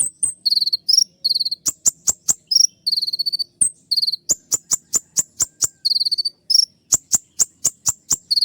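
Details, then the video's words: Sunbird known as kolibri ninja delivering rapid shrill 'tembakan' song: fast high trilled bursts mixed with strings of sharp single ticks, dense and almost continuous, all very high-pitched. "masteran kolibri ninja dengan full suara tembakan"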